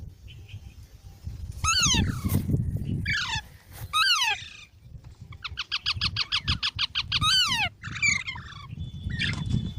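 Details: Green parrot giving repeated loud, downward-sliding screeches, plus a fast, even chatter of about a dozen clipped notes in a row, then more falling shrieks and short squeaks over a low background rumble.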